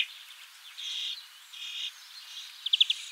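A European greenfinch gives two drawn-out, buzzy wheezes about half a second apart, then a quick burst of three sharp, bright notes over a soft hiss.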